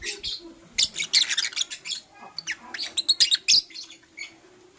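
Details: Blue Opaline and Euwing Opaline lovebirds kissing and chirping in the morning: dense bursts of high, sharp chirps and squeaky twitters in quick irregular runs, with short quiet gaps.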